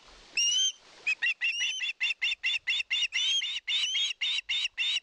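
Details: Osprey at a live-camera nest in Satakunta, Finland, 2022, begging for fish: a rapid series of short, sharp, whistled notes with upward-bending tones, repeated about four times a second after an opening longer cry.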